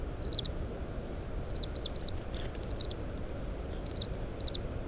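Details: Oriental greenfinch eating seeds from opened Japanese stewartia fruit, captured by parabolic microphone on a windy day: faint clusters of rapid high chirping notes, four groups at about 1.5-second gaps, over heavy low wind noise.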